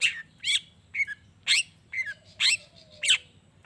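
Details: Long-tailed shrike in full lively song, used to provoke other shrikes into answering: varied harsh, buzzy and whistled notes, some sliding downward, given about twice a second with short gaps between phrases.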